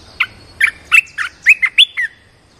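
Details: Decoy red-whiskered bulbul kept in a cage to attract a wild bird, delivering one brisk phrase of about eight clear, slurred whistled notes, some rising, some falling, in roughly two seconds.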